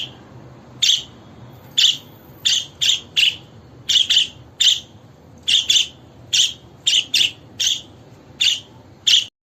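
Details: A budgerigar sings bright, high, short chirps in quick, uneven runs of one to three, roughly every half second, over a faint low hum. This melody is described as a happy, content, well-fed bird's song.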